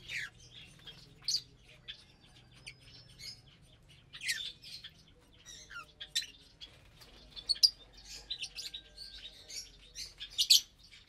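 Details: Lovebirds eating vegetables and whole grains on the morning of April 30, 2022. Sparse, high, squeaky chirps are spaced irregularly, with occasional louder sharp notes and a faint low hum in the background.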